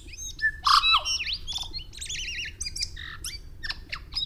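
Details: A tui sings a jumble of bell-like whistles, warbling trills, squeaks and sharp clicks that jump abruptly between high and low pitches, with a faint background hum; the song may be played at normal speed or slowed to quarter speed.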